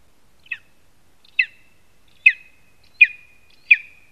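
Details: Lesser spotted eagle at its nest in a spruce in Zemgale, Latvia, giving five short, sharp yelping notes spaced roughly a second apart, each with a brief trailing tone. The background is quiet.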